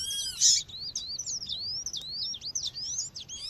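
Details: Calling female seedeater, coleiro or papa-capim, meant to warm up males: steady high chirps, each a quick dip-and-rise, following a brief loud burst at the start, with natural ambience behind.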